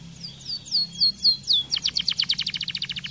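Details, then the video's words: Singing 'gacor' canary gives several sweeping falling whistles, then switches into a fast trill of bright, evenly spaced, ringing notes. "Kenari gacor cocok"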